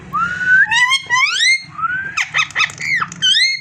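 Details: Parrot indoors giving a run of clear whistled notes, mostly rising and slurred, some wavering, in quick bursts with no long pauses, over a faint steady low hum.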